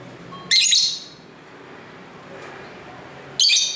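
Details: Home lovebirds singing to one another, recorded through an internal camera mic beside a busy street: two sharp, rasping high shrieks nearly three seconds apart, separated by soft street ambience.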